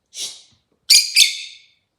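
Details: Rosy-faced lovebird, a very chatty bird, giving three harsh, high chirps: a softer one followed by two loud, buzzy, closely spaced notes with a falling tail.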